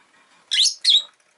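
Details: Pet rosy-faced lovebird giving two quick, piercing, harsh chirps in close succession, each slightly downslurred, over a faint murmur of softer twittering.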